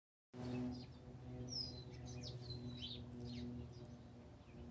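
A bird sings thin, high whistled phrases and short sliding notes, some dropping in pitch, over a steady low hum and background noise.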